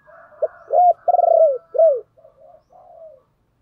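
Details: Spotted dove kept as a decoy, calling to draw in wild doves: a short hooting note, then a strong pulsing coo and a falling final coo, followed by faint low murmured notes.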